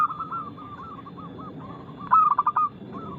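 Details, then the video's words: Local zebra dove with a loud, crystal-clear voice and fast notes delivers one brisk run of clipped coos near the end, after a stretch of quieter background cooing from other doves. "PERKUTUT LOKAL GACOR Nada cepat Suara keras kristal Bikin cepat bunyi ( Pancingan Burung Anggungan)"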